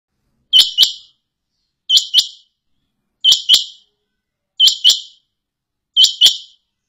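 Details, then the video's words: Quail (karkarai batair), Pakistan, gives a sharp, high two-note call, repeated steadily about every second and a half against a silent background. "KARKARAI BATAIR QUAIL SOUND"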